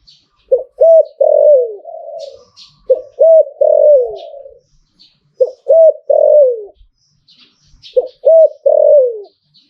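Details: Zebra dove repeating its 'Liu Tan' style song about every two and a half seconds, four phrases of two or three crisp hooked notes leading into a loud, rolling, falling coo, with faint high chirps in the background.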